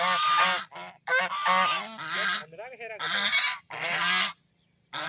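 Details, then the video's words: Playful duck on a pond sounding loud, grating quacks in quick succession, a few longer drawn calls among short ones, then a brief silence before another call begins. "Duck Making Sound"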